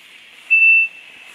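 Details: A female Siberian thrush foraging in Dalat, Vietnam gives a single thin, level, high whistle lasting about a third of a second, over a steady high hiss of background insects.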